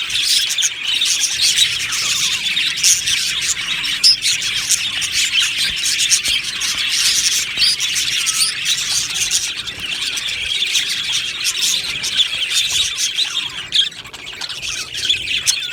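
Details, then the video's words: An Australian budgerigar colony in an aviary, long continuous chorus of high chirps, warbles and twitters from many birds, thinning slightly toward the end. "Budgie Sounds for lonely Budgies | Happy Budgies Birds Sounds | birds Chirping Sounds"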